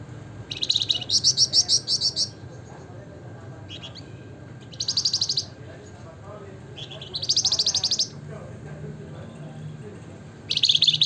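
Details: Wergan jawa (Javan fulvetta) in full gacor nembak ngebren nyiul singing: several separate bursts of fast, bright, high trilled notes with quiet gaps between them and faint low murmuring in the background.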